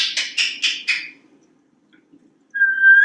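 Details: Talkative male African Grey Parrot kept in a Texas home, perched on a kitchen faucet; a run of five quick whistled notes, a pause, then one long, steady, pure whistle.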